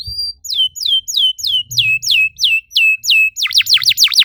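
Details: Canary singing, played to encourage other canaries to sing: a high held note, then a steady series of down-curving whistles roughly three per second, closing with fast deep V-shaped swoops.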